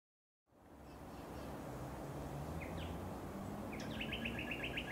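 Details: A White-cheeked Honeyeater on the Sunshine Coast, Queensland, in June 2021 gives a few sharp upslurred notes, then a quick run of about eight high chips, over steady low rumbling background noise.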